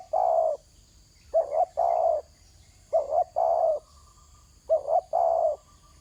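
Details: Ground-dwelling spotted dove calling steadily, each phrase a brief double coo leading into a longer drawn coo, four phrases spaced about one and a half seconds apart, faint insect drone throughout.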